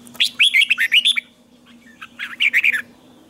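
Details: Captive red-whiskered bulbul in morning song training, delivering a strained, twisted double-note song: two bursts of rapid warbled whistles, rising and falling, separated by a short pause, with a faint low hum underneath.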